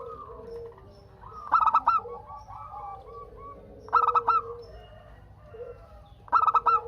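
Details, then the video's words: Local zebra dove, an eager singer, cooing to draw answers from other doves: three bursts of fast, staccato coos about every two and a half seconds over steady low cooing from other doves. "Perkutut Lokal Gacor Untuk pancingan kutut perkutut agar saling bunyi BERSAUTAN"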